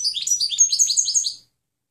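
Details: Goldfinch clean song used to train birds: a rapid, high, jingling twitter of about a dozen liquid notes over a second and a half, fading into silence.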